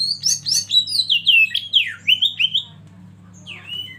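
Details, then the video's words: Kacer, or Oriental magpie-robin, serving as a lead bird to spur others to sing, pours out a rapid run of falling and rising whistled notes, then pauses before one last slurred phrase; low hum in background. "Masteran KACER Pancing Emosi dan bikin gacor yg lain"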